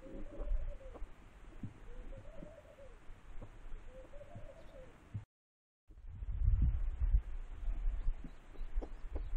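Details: A pigeon gives three arched, rolling coo phrases over about five seconds, with low rumbling and handling noise underneath, then a short gap and heavy low thumping.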